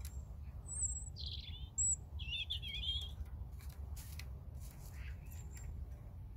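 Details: European robin song made of a few high, glassy whistled notes followed by a tumbling, wavering trill, then quiet, all above a constant low hum.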